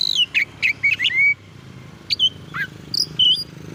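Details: Oriental magpie-robin singing to stir up rival magpie-robins. Sharp chopped whistles come in a rapid string, then sparser high slurred notes with a descending swoop, over a steady low background hum.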